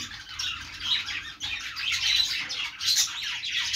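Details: Budgerigars, also called parakeets or Australian parrots, chirping: a dense, continuous flock chatter of overlapping high squawks and warbling tweets with no pauses.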